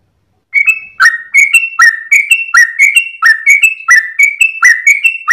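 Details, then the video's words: Trucukan (yellow-vented bulbul) in a long dawn 'ropel' song with tail-wagging: after a brief silence, a regular run of clear whistles alternating between a higher and a lower note. "GOYANG EKOR trucukan gacor ropel panjang saat subuh pagi hari"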